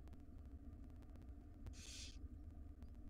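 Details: One wild barn owlet in a nest box, one of five being fed breakfast by their mother, gives a single rasping hiss-screech lasting under a second against a constant low rumble.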